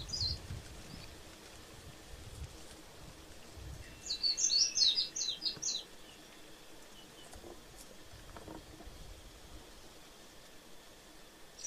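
Warbling white-eye giving a quick two-second flurry of very high, thin, twittering notes midway through, with soft outdoor hiss before and after.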